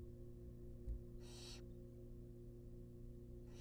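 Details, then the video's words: Wild barn owl nestlings in a monitored nest box, being fed a rabbit: one loud, breathy hissing burst lasting under half a second, with a second hiss beginning at the end, over a steady low electrical hum. "Watch Barn Owl Babies Get Fed A Rabbit"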